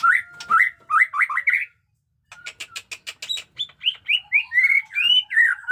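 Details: Jenggot dewa white-rumped shama in new plumage, kept as a training master, singing batuk koral and muntah beling: rapid rising whistled notes, a pause, a fast series of sharp clicks, then fluid varied warbled whistles.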